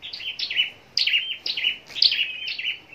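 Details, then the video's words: Contest-trained scarlet-backed flowerpecker in captivity at Long Thành, Vietnam, delivering rapid, high-pitched, clipped descending notes grouped into short twittery phrases about every half second. "Chim Sâu Đầu Đỏ Hót Đấu"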